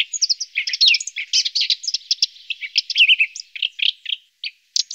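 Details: Lesser spotted woodpecker feeding its young: a dense run of high, thin chirps and short squeaky notes tumbling over one another, several voices overlapping, with brief pauses near the end.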